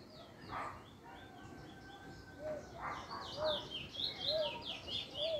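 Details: A young male chestnut-bellied seed-finch (Trinidad bullfinch) in its first black plumage, recorded 10/10/20, gives quick, bright whistled and twittering phrases about once a second, over faint voices and lower whistled notes.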